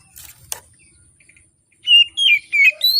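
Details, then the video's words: An Oriental magpie-robin sings in the morning as a lure for hesitant singers. Soft rustling comes first, then four clear whistled phrases, some sliding down and some rising. "Kacer Gacor Di Pagi Hari, Pancingan Kacer Sulit Bunyi dan malas Bunyi"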